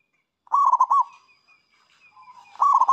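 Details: Zebra dove, or perkutut, singing to call in rivals: one full phrase of quick rolling coos, then soft scattered murmurs before the next phrase starts.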